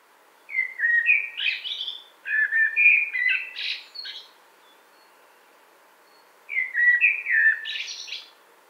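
A Common Blackbird sings two unhurried phrases of mellow, fluted whistles, each trailing off into a thin, squeaky twitter, with a short pause between them.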